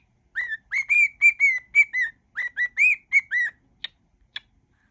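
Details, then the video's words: Pet cockatiel whistling melodies in a mash-up: about a dozen clear whistled notes, rising and falling slightly, followed by two short sharp clicks. "whistling cockatiel"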